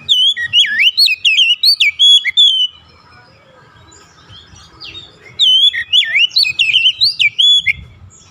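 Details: Lure song of an Oriental magpie-robin meant to set other kacer singing; two bursts of quick, rich whistled and warbled notes separated by a quiet three-second pause with soft distant twitters and low rumble.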